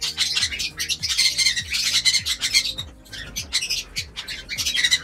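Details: Home-aviary lovebirds eating vegetables and soft food, calling in busy overlapping shrill squawks and short chirps, pausing briefly midway, while music plays quietly beneath.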